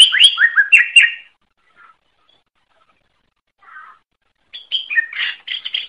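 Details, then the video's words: A greater green leafbird (cucak ijo) sings rich, varied warbling phrases mixed with sharp high notes, in two quick bursts separated by a few seconds of near quiet. "Suara Burung Cucak Ijo"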